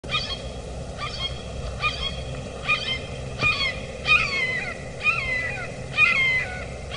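A red-shouldered hawk gives a steady series of about eight loud, harsh, down-slurred kee-ah calls, under a second apart, over a low background rumble.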